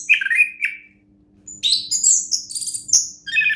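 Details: Champion orange-headed thrush (anis kembang) singing: a couple of sliding whistled notes, a short pause, then a rapid run of high, piercing, chattering phrases, over a low steady hum.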